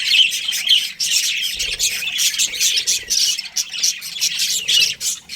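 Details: Breeding pair of budgerigars giving rapid, bright chirps and squawky chatter in bursts about every half second, high and buzzy throughout, with faint low thumps underneath.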